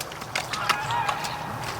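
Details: Domestic geese on a lake on September 26, during migration season, give about five short, nasal honks in under two seconds, calling back to Canada geese flying overhead, with a faint murmur of voices behind.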